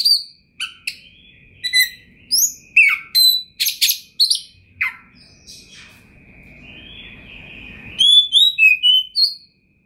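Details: Oriental magpie-robin in full varied song: loud clear whistles, sweeping notes rising and falling, and sharp chips spaced irregularly, ending in a quick run of high twittering notes.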